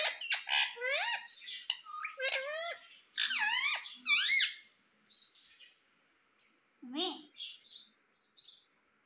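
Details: Pet talking Indian ringneck parakeet from India, kept indoors, giving a burst of shrill squeaky notes that sweep up and down, bunched in quick runs over the first five seconds, then a few scattered squeaks and softer chatter.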